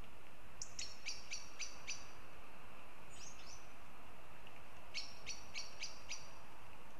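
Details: Northern goshawks at Riga, Latvia: sharp, harmonic notes given in quick bursts of about five, evenly spaced, with a short pair of downslurred notes between the bursts, over a steady background hiss.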